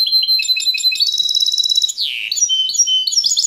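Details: Rapid high-pitched twittering from a European goldfinch hybrid: strings of quick chirps, a drawn-out buzzy slurred note midway, then more tinkling trills.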